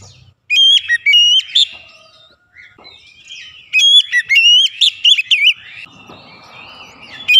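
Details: Aggressively provoked oriental magpie-robin: two loud bursts of sharp whistled notes with upward flicks and warbling slurs, a quieter twittering passage between them.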